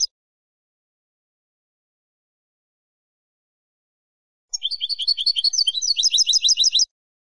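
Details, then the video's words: European goldfinch, Spanish singer, heard after a long silence: a bright phrase of quick repeated twitters and tinkling notes lasting about two seconds, clean and without other sounds. "CD Jilguero / Carduelis Carduelis"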